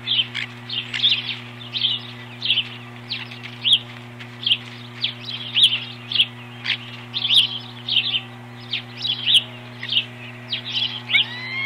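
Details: Osprey at its nest during an intruder alarm, 21 April 2015. Short bright chirps repeat steadily, about two per second, for over ten seconds, and a low electrical hum runs underneath.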